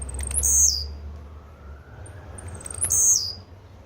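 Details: Blue-black grassquit song: two short, very high buzzy phrases about 2.5 seconds apart, each opening with faint ticking notes and ending in a bright sharp burst, over low steady background hum.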